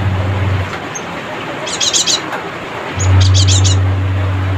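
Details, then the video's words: Chattering Cinereous tit calling out to rivals: two brisk bursts of rapid, high, clipped notes about a second and a half apart, against a constant low humming drone. "suara crecetan burung GELATIK batu gacor"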